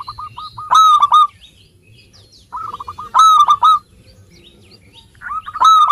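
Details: Vigorous local zebra dove song meant as a lure for birds that are slow to sing: a few quick soft notes, then a loud ringing coo cluster, repeated about every two and a half seconds.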